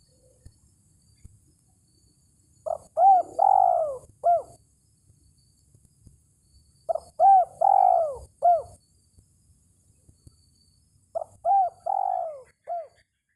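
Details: Spotted dove calling toward a rival, a recording meant as a lure for trapping: three cooing phrases about four seconds apart, each a short rising note followed by deep, arched, rolling coos, over a quiet background.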